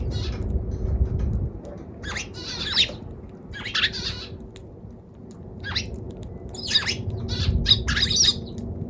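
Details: Eurasian tree sparrow giving rough, squeaky chirps in uneven bursts, some doubled or tripled, while low rumbling background noise swells and fades.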